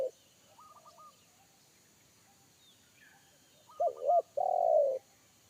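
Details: Wild spotted dove in forest giving a deep, bass 'kuk satu' call that made a trained decoy dove shy away; after faint high chirps, a two-note looping coo is followed by one long, loud, falling coo.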